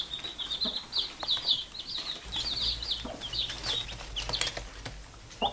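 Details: Baby chicks peeping with their mother hen while she calls them to sleep; rapid high cheeping notes crowd together, broken by scratching and rustling sounds and a low steady hum in the background.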